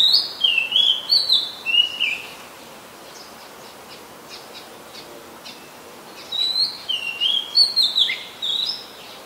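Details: Oriental magpie-robin singing in Ubon Ratchathani, Thailand, on 2 July 2022: two bursts of bright, quick whistled and warbled notes separated by a quiet pause of about four seconds with faint ticking.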